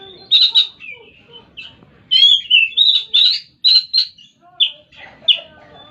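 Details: Oriental magpie-robin singing sharp, high whistled phrases and quick slurred notes in bursts separated by short silences.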